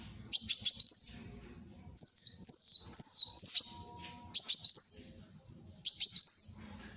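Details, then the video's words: Lively song of a kolibri wulung sunbird, used as a tutoring and luring recording: four bursts about every one and a half seconds, each of sharp ticking notes followed by a run of high, slurred, rising-falling whistles, with near silence between. "SUARA BURUNG KOLIBRI WULUNG GACOR, UNTUK PIKAT & MASTERAN"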